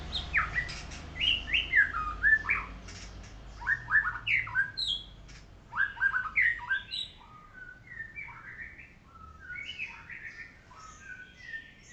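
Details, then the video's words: Golden white-rumped shama singing while set out in the morning sun: rich, varied whistled phrases with sharp slurred notes, delivered in bursts for the first seven seconds, then softer, quicker twittering notes with a low hum beneath. "Murai Batu Golden Shama | Kicau merdu saat dijemur"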